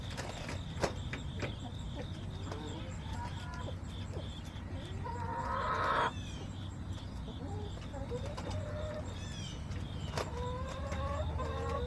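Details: Backyard chicken flock recorded on September 20, 2024, with scattered short harmonic clucks rising in pitch, a brief burst of broadband noise midway, and a steady high insect-like hum in the background.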